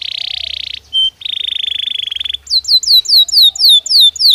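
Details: Belgian canary singing naturally: a loud buzzy trill, a short clear note, a second buzzy trill, then a measured series of high down-slurred whistled notes, about three per second.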